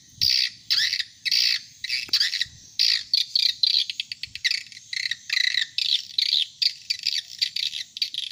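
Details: Swiftlet calls played to attract adult swiftlets: harsh, buzzy chirping bursts, high-pitched and grouped in quick clusters with short gaps, a rapid stuttering run near the middle, faint low rumble beneath.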